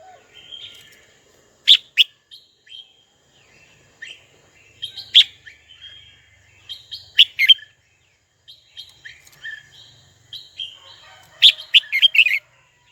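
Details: Red-whiskered bulbul singing to call a rival: clusters of sharp, bright chirped notes mixed with thin whistled phrases, arriving in irregular bursts every one to two seconds, ending in a loud rapid flurry.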